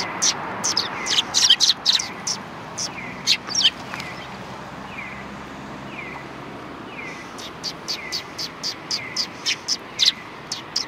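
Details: Sparrows at a Tenmangu shrine, 3 January 2020: a cluster of sharp chirps at first, then evenly spaced lower slurred notes, followed by a regular series of high chirps about four per second.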